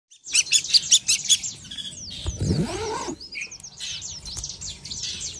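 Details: Long-tailed shrike sunbathing in the morning, singing a burst of rapid high chirps, a brief noisy rush of sound midway, then softer varied warbling notes.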